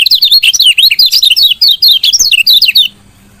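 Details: Female lemon-bellied white-eye chirp used to prompt males that are reluctant to sing; nearly three seconds of rapid, loud, high, zigzagging chirps, then a low hum.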